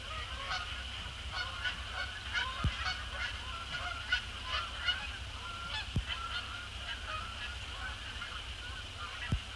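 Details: Canada geese, resident and migratory, flying across a post-sunset sky to splash down on Sapsucker Woods Pond; a flock gives many overlapping nasal honks throughout, with a steady background hum and a few sharp clicks.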